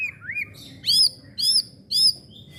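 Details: Young white-rumped shama, a candidate songbird, singing. Whistled rising notes come first, then three loud, bright arching phrases about half a second apart, with a faint low hum underneath.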